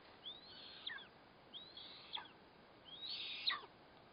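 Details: Eastern imperial eagle feeding its chick at the nest with a black kite, 4 August 2024; three fairly soft, high drawn-out calls ending in a falling note, the last one loudest, amid light background hiss.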